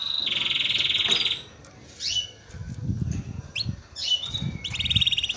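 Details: Excited male canary singing to stimulate females to mate: a quick rolling trill, then scattered sharp upslurred chirps over a low rumbling background, ending in another short trill.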